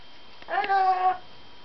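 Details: Single very excited parrot, indoors, letting out one drawn-out nasal cry under a second long, steady in pitch with a rich harmonic, meow-like tone over a low constant hum.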